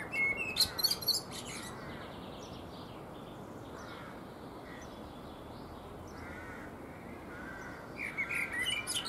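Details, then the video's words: Eurasian blackbird singing while preening on a fruit tree: a burst of fluted notes near the start with high squeaky twittering, a quiet gap, then another warbled phrase ending in a high chattering flourish, over steady background hiss. "Blackbird Singing And Preening on a Fruit Tree / Singende Amsel"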